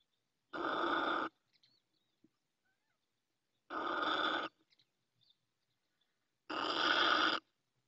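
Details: From her nest in Ávila, Spain, a female Little owl calls with three broad, hoarse hissing blasts, each close to a second long, spaced about three seconds apart.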